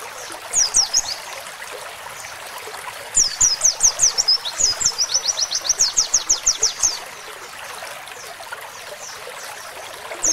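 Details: Oriental white-eye song used to train songbirds, with canary phrases filling the song: high, thin, rapid twittering runs of sharp descending notes, one long series of about twenty quick notes, over a faint background hiss.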